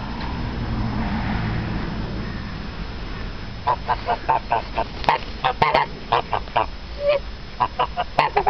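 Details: After a stretch of low rumbling background noise, two geese start a series of short, sharp honks spaced unevenly, growing more frequent toward the end.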